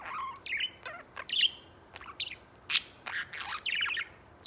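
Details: Pet white budgerigar singing indoors, shown while preening and playing on a ladder and swing: a busy stream of short chirps, clicks and warbled notes with scattered sharp squeaks, in quick uneven bursts.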